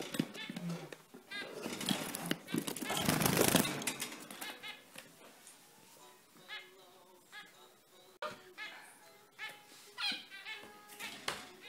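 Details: Zebra finches squeaking actively: a loud rustling flutter early on, then a steady stream of short nasal, trumpet-like beeps at several per second.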